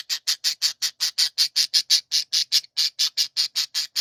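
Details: Budgerigars in a chorus give the harsh ギジギジギジ phase: loud, rasping buzzy pulses repeated rhythmically about three times per second without a break.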